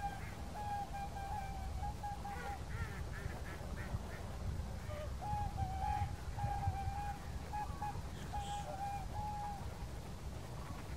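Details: Whooper swans at Kuligów, 16 February 2018, calling during their dance: fainter, more drawn-out trumpeting notes, some held longer, amid softer scattered honks and background wind.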